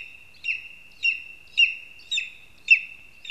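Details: Lesser spotted eagle at its nest in a spruce in Zemgale, Latvia, on a live nest camera: sharp high yelping notes roughly once a second over a steady high whine, each note dipping downward, with no other clear sounds.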